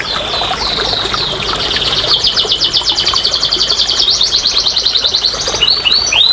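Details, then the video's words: Canary song played to stimulate quiet canaries to sing: a long run of rapid, even trills around high pitch, shifting through rolling tours and ending in a few sharp downward-sweeping whistles. "TERAPI & PANCINGAN BURUNG KENARI MALAS BUNYI"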